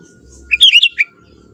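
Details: Sooty-headed bulbul, a young forest bird, gives a short lively phrase of four or five liquid, rolling notes that rise and dip, ending on a lower note, over a quiet background hum.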